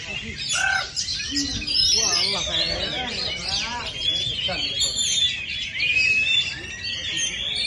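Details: Caged Oriental magpie-robin singing during a practice competition, pouring out rapid mimicking phrases of chirps, sharp whistles and squeaky trills, with other competing birds and faint crowd noise behind.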